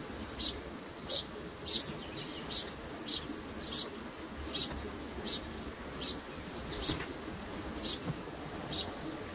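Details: Baby sparrows: a single high, sharp chirp repeated about every 0.7 seconds in an even series, with a faint low hum behind.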